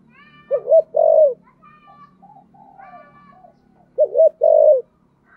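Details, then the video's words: Giọng thổ-style song of a spotted dove: two low cooing phrases about three seconds apart, each a wavering double note and a sustained coo. Faint higher whistled tones and a low hum sit underneath. "cu gay giong tho cuc dinh/ chim cu gáy giọng thổ"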